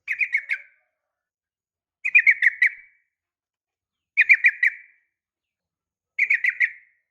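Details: Female sooty-headed bulbul calling to a male with a fighting sound. Four short bursts of quick chattering notes, each under a second long, repeat about every two seconds with clean silence between them.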